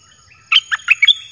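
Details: A caged red-whiskered bulbul delivers a 'dok taeng' song phrase meant to draw in wild birds: a run of five short, warbling whistled notes of varied pitch, then the start of another note.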